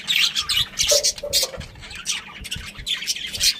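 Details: Budgerigars from a breeding pair and family, chirping: busy, scratchy high chatter in quick bursts, with a brief lower whistled note in the middle.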